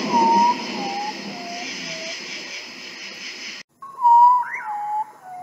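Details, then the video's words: Common potoo, also called pájaro estaca or ave bruja, whistling four notes that descend through hiss. A cut leads to a louder phrase that falls in steps, with a swooping note overlapping it. "Sonido del guajojo Nictibio urutaú Ave fantasma"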